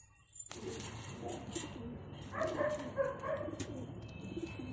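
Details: After a sudden start, low coos from a pair of pigeons roll on, joined midway by louder, higher calls, with scattered clicks and background noise.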